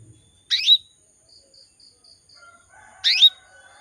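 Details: Calling female canary luring males: two short, high, buzzy down-slurred chirps about two and a half seconds apart, with faint soft peeps in between.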